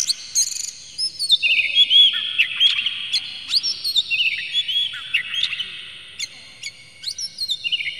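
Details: Oriental magpie-robin song played as a lure to rouse other magpie-robins into singing and tail-opening: loud, varied whistled phrases, rising and falling slides and sharp chirps, mostly high-pitched, delivered in quick bursts, with a quiet background.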